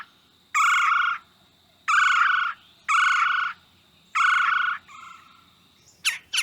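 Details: Red-bellied Woodpecker in a north-central Mississippi yard giving its chirr call: four harsh, rolling chirr notes, each under a second, repeated about every 1.3 seconds, followed by a fainter note and a few sharp clicks.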